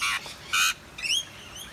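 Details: Wild rainbow lorikeets sheltering in a tree during rain in eastern Australia: two brief harsh rasping screeches followed by thin, wavering high whistled chatter, a woman talking to the birds.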